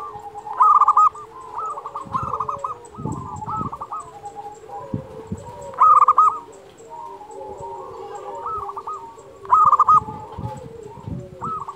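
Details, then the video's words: Persistent local zebra dove song, used as a master recording for doves slow to sing: three loud bursts of quick stuttering coos about four seconds apart, with gentler overlapping cooing between them. "Perkutut lokal gacor Suara ini sangat di sukai semua jenis perkutut"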